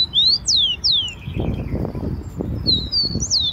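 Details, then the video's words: Rufous-collared sparrow, wild, in Brazil, gives a phrase of three high whistles that slide downward, then a soft rustling patter, then a rising and falling whistled phrase at the end. "O CANTO DO TICO-TICO SEUVAJE"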